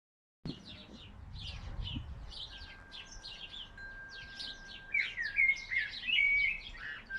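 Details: Small songbird singing in a still-bare, unflowered forsythia in a spring garden, with other birds joining from hedges, trees and gutters. Dense high chirping chorus throughout, a faint steady tone, then louder clear warbled phrases near the end.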